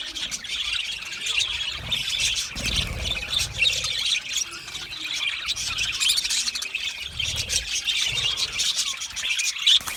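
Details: Australian budgies chirping when content, in a sustained, crowded chorus of high twitters and buzzy warbles with occasional sharp squeaks and faint low rumbles.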